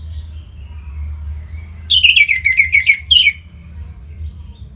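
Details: Orange-headed thrush song from northern Bali, meant to stimulate other birds: a quick run of rapidly repeated, descending chattered notes lasting about a second and a half, preceded by a soft falling whistle.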